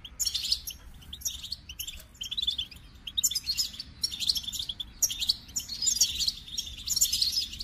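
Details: Goldfinch singing in bursts of quick, high, jangling twitters and buzzy trills, roughly one burst per second, with a quiet rumbling background.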